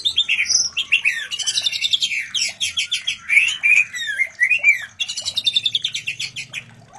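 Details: White-rumped shama mating call used to raise breeding readiness in other shamas: a dense stream of fast buzzy trills and sharp whistled upsweeps, loud and continuous with brief breaks, over a low background hum.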